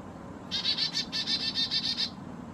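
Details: At a mountain feeder in the Great Smoky Mountains, a Black-capped chickadee, perhaps hybrid, gives a long run of harsh, buzzy dee notes, roughly eleven in quick even succession lasting about a second and a half.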